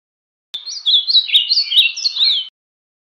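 Ultramarine grosbeak in a Bahia-style song: a two-second run of rich, sliding whistled notes, rising and falling in a steady warble. No other sounds intrude.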